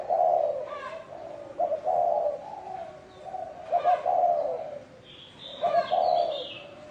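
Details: Spotted dove cooing in the bronze-bell (chuông đồng) style, meant to lure wild doves and stir males and females. Low mellow phrases, each a quick double note then a long hoarse coo, repeated about every two seconds, with thin higher chirps from another bird.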